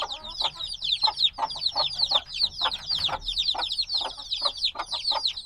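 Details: A flock of black chicks only a few days old peeping nonstop, many high, short, downward-sliding chirps piled on top of one another in a busy, steady chorus.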